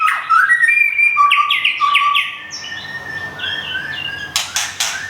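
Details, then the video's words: White-rumped shama kept in Thung Song, Thailand, plumage almost full after moult; fast repeated whistled notes and long sliding tones, softer phrases later, with a few sharp clicks near the end. "บินหลาดงทุ่งสง shama bird murai batu thailand"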